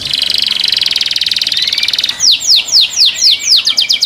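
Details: Captive canary singing the song that makes other canaries join: a rapid buzzing roll pulsing for two seconds, then loud, evenly spaced downswept notes that quicken toward the end.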